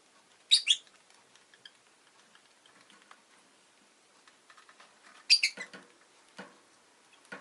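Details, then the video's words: Rosy-faced lovebird kept as a pet, with two sharp, shrill chirps in quick succession, then a quiet gap of light clicks before another harsh double chirp followed by scattered dry ticks. "Lovebird Chirping Sounds"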